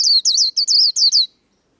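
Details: Líu contest song from a white-eye: six sharp, high whistled notes in quick succession. Each dips and curls downward. The phrase then stops abruptly into silence.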